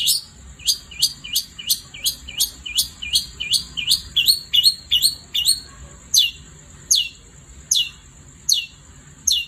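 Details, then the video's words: At night, a long-tailed shrike sings a fast series of short rising-and-falling notes that speed up, then slow to spaced single sharp calls, against a steady faint high hum. "Kicau Cendet Gacor Di Malam Hari"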